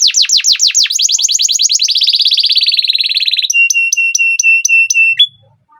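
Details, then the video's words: Canary sings a fast rolling song of descending trilled notes, speeding into a buzzy rattle, then a run of bright repeated whistles. "Kenari GACOR Masteran Burung Kenari PAUD & Pancingan Kenari MACET BUNYI, Ngerol Durasi Panjang"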